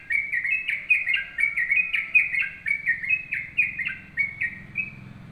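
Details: Sooty-headed bulbul in full song, singing a lively run of short, bubbly whistled notes that rise and fall.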